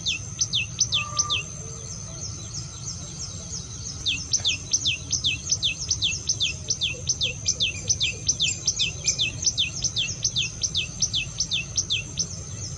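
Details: Common tailorbird song used to call in wild birds: a long run of loud, piercing, down-sweeping notes at roughly two and a half per second. Fainter high chirps and a constant low background rumble sit beneath.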